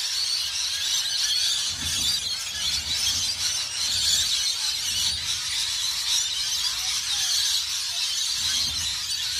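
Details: A flock of rainbow lorikeets (Trichoglossus moluccanus) in Australia makes a dense, unbroken wash of shrill, high screeches and chatter, overlapping so thickly that no single call stands apart.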